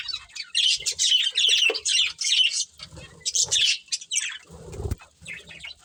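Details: A budgerigar breeding pair chirps in bursts of buzzy, high chatter and quick squeaky notes, broken by short gaps, with soft low thumps and rustles in between.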